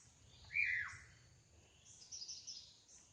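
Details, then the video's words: Drongo in the wild, in full song: a single bright whistle that slides steeply downward early on, then faint high scratchy twitters trailing off over steady background noise. "Suara burung srigunting asli di alam liar gacor"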